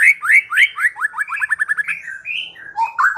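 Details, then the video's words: Lure song of a white-rumped shama to prompt singing: several upswept whistles, then a fast even series of short sweeping notes, followed by softer fluty warbles. "Pikat Murai Batu Dengan PANCINGAN GACOR Ini Di Jamin Macet Langsung Bunyi"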